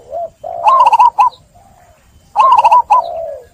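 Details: Zebra dove cooing, played as a lure to restart song in doves stressed by trapping: two loud bursts of quick stuttering coos with harmonics, each trailing into a lower drawn-out purr.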